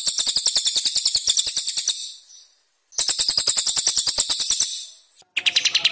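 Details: Cililin birds in a training recording for contest songbirds, singing 'tembakan kasar tajam', rough sharp bursts: very high, rapid repeated notes roughly three or four per second in long runs, with brief pauses and a final faster burst.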